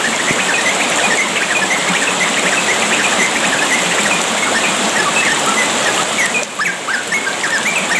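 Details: A yellow-vented bulbul (Pycnonotus goiavier) sings short, bubbly, chattering phrases in quick bursts, mixed with a steady rush of flowing water; the recording is meant to stimulate young bulbuls to sing.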